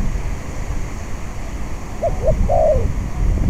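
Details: Spotted dove used as a trapping decoy on a windy day gives one phrase: two short hooked notes, then a longer falling coo, after several seconds of wind noise.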